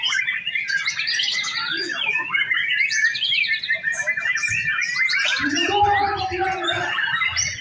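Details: Captive male white-rumped shama on a breeding farm sings a long, varied stream of whistles, slurred notes and chatter, while a lower voice-like sound cuts in toward the end.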